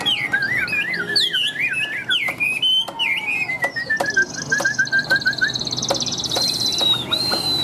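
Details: Tame caged Chinese hwamei, newly arrived, praised for nonstop singing and a very loud, ringing voice; fast jumbled whistles fall into a long descending string of short notes, with clicks and a high background trill.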